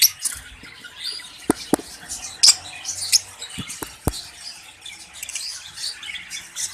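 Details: Caged budgerigars in Pakistan in summer chatter steadily with high chirps and squeaks, while repeated sharp taps and knocks from the cages punctuate the background.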